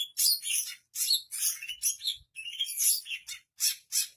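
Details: Loud, harsh, squawky high phrases from a Long-tailed Shrike with a rich mimicking song of other birds' calls, delivered in bursts separated by short silences.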